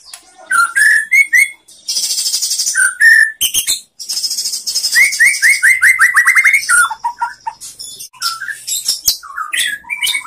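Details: A white-rumped shama sings as a master for training other shamas: repeated upslurred whistles, a quick series of about ten rising notes, and bursts of buzzy high chatter.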